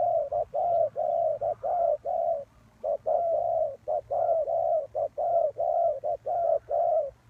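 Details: Spotted dove serving as a trapping lure, cooing in a long rhythmic run of soft low notes, short and long coos alternating with one brief gap midway.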